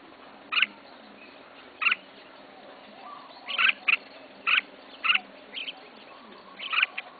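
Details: Red-whiskered bulbul kept by a first-time bird keeper, giving short sharp chirped notes spaced one to two seconds apart, each a brief bright burst, over a quiet steady hum.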